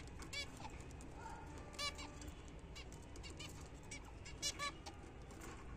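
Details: Pet zebra finches during their morning feed of apple and seed give short, nasal, buzzy calls, single or in quick pairs, spaced a second or more apart over a steady low background hum.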